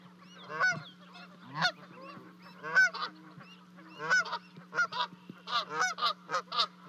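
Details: Parent Canada geese call as their two goslings leap off a high nest in Charlo, Montana, 12 May; separate loud honks spaced about a second apart, quickening near the end, above a faint steady hum.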